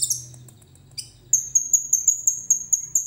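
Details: Common iora in full song, filled with cililin phrases, recorded on a phone: a brief buzzy burst, then a steady series of thin, very high whistled notes repeated about five times a second.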